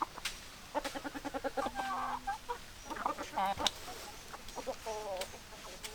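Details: Hens and roosters clucking: rapid runs of harmonic clucks, a drawn-out wavering squawk near the middle and later quavering clucks, with several chickens overlapping against a hissy background.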